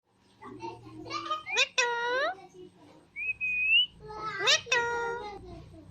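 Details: Alexandrine parakeet talking in a small room: rapid speech-like syllables with sweeping, stacked tones, then a short rising whistle, followed by more bursts of chattering, word-like sounds.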